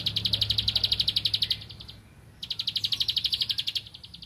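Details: Energetic song of a Bar-winged prinia seeking a rival: two long trains of quick, sharp, high-pitched ticks, each about one and a half seconds, split by a pause.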